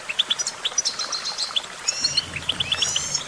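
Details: Goldfinch giving quick, sweet chirps in small rapid groups with brief trilled phrases, and other birds twittering softly in the background.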